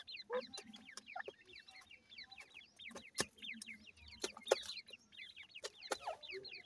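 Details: Female grey francolin feeding with her chicks near home; many rapid, thin descending peeps repeated continuously in the 2–4k range, with scattered sharp clicks and low clucking notes underneath.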